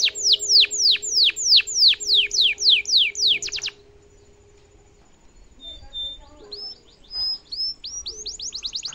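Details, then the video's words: Domestic canary in energetic song for tutoring other canaries: a series of loud descending sweeps, a pause, then scattered thin whistles and rising notes amid faint room noise. "kenari gacor cengkok mewah bikin lawan langsung nyaut dan efektif buat masteran kenari paund"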